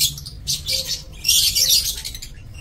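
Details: Several lovebirds in a breeding aviary, 27 March 2024, chatter in a continuous run of shrill, scratchy high twitters. The sound swells louder in the second half.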